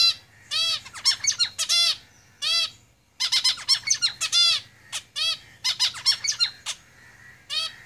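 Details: Lively song from caged zebra finches: many loud, nasal, harmonic notes in rapid clusters, broken by short pauses, keeps going for the full eight seconds over a faint low hum.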